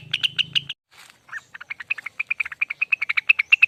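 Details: Long ropel song by a lesser green leafbird (rengganis): a few loud chips over a low hum, a short pause, then a softer fast string of repeated notes that grows louder and steadier.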